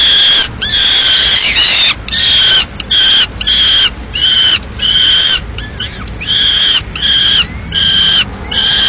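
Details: At a Madrid peregrine falcon nest in May 2016 the male brings a live swift and the female finishes it; insistent harsh wailing cries repeated rapidly, many in quick succession.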